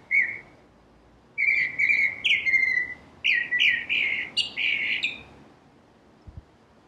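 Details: Northern cardinal singing: clear whistled slurred notes, a short opening note, then long downslurred whistles followed by a faster run of rising-and-falling phrases, with no other clear sounds.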